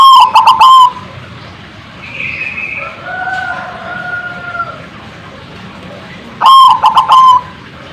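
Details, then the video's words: Zebra dove calling to provoke answers from other birds: rattling stuttered coos at start and end, with softer drawn whistles from another bird between them. "suara bikin nyaut bunyi burung perkutut"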